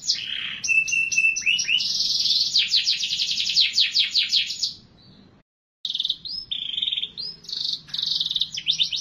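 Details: Canary singing continuously: buzzy rolls and fast repeated chips, briefly cut to silence midway, then resuming with varied whistled and trilled phrases.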